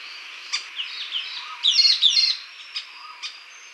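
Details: Sultan tit uttering scattered sharp high ticks, then a dense chattering burst of a few rapid notes, followed by more spaced chirps and a soft lower slur; quiet background.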